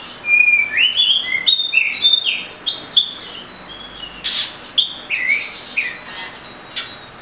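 An Oriental magpie-robin sings a rich, varied run of clear whistles, slurred rising notes and scratchy chatter, phrases following quickly without pause.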